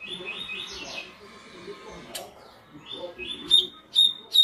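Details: Tui tui style song of a double-collared seedeater as a warm-up recording: a hazy run of high notes early, then clear sharp whistled phrases returning about every half second toward the end, over faint low background noise.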